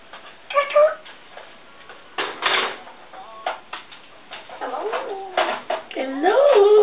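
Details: Pet female African grey parrot indoors chattering to herself: a mix of clicks, short whistled notes and rising and falling warbled tones, growing louder and more continuous toward the end, in a small room.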